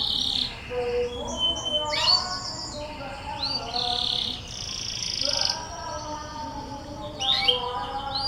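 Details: Canary song used as a lure to set other canaries singing: varied sweet whistles and sustained tones, some rising and some flat, with short buzzy rolls between the phrases.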